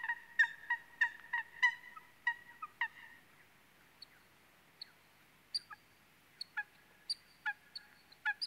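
Eurasian coot giving a rapid series of short, nasal, trumpet-like notes, then sharper metallic clicks and pips at a slower, uneven pace.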